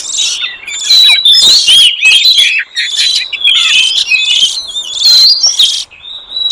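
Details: Lure song of wild forest oriental magpie-robins: loud, clear, varied phrases of high whistles, quick chirps and rattling buzzy notes in a continuous tumbling stream, briefly easing near the end.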